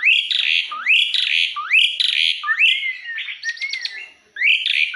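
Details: Jalak uret (starling) singing in vigorous form, repeated rising swooping whistles mixed with harsh raspy notes, a sliding whistle and a quick stuttered series before a short gap.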